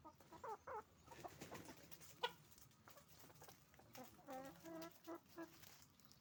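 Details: Roosters and hens on a chicken farm making noise: a busy mix of clucks, squawks and short harmonic calls rising and falling, with several birds calling at once and a sharp loud squawk near the middle.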